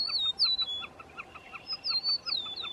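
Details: At Roy Johnson Wetlands near Cloverland, Wisconsin, a Wilson's snipe gives a steady run of short, hollow notes, about five a second, for mating, while a meadowlark's high, slurred whistles ring over it.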